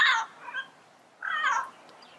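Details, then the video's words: Yellow-headed parrot calling in the wild: a short grating squawk, a faint softer note, then a second harsh, nasal squawk after a gap of about a second. "Yellow-Headed Parrot Sounds - Natural Bird Calls and Songs in the Wild"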